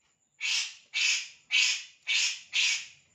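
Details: Bird calling with five harsh, rasping notes, each a short burst falling away, repeated about every half second, over a thin steady high tone.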